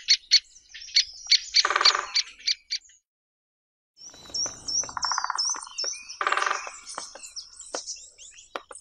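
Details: Great spotted woodpecker calls used as a lure: a run of sharp, short, clipped notes repeated quickly, with two nasal buzzy bursts in between, thin high chirps from other birds throughout and a brief silent gap.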